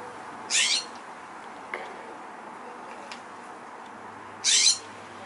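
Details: A California Scrub Jay gives two harsh, raspy, high calls about four seconds apart, with faint background hiss between them; recorded 30 September 2023 in SE Portland, Oregon, USA.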